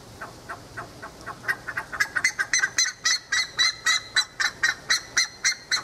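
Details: Wild buff-necked ibis in open pasture near Tupi Paulista, São Paulo. Metallic, honking calls start quietly and unevenly, then swell into a loud, steady, rhythmic run of about four notes a second that continues to the end.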